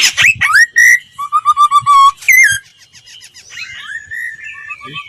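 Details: Laughingthrush singing as a voice-training lure recording; varied loud whistles, rising slurred notes and a run of short level whistled notes, followed by softer fluty phrases.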